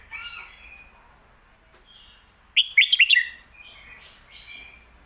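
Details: Red-whiskered bulbul giving a popular song style known as phat kuay tiao or mae bot. Soft whistles open, then a sudden run of four or five bright, warbling notes, followed by fainter slurred whistles.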